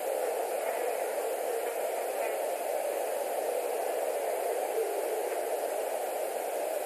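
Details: Constant hiss of static from a nest camera microphone, with no animal calls.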